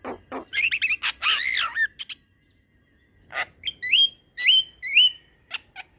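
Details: Black-winged myna in long rolling song used to train other mynas: harsh grating notes and arched calls, a brief pause, then three clear upslurred whistles with bright overtones.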